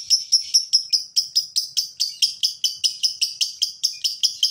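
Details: Male fighter lovebird used as a lure to set other lovebirds singing: a steady train of sharp, high chattering notes, roughly four a second, each a bright scratchy chirp, with a quiet background.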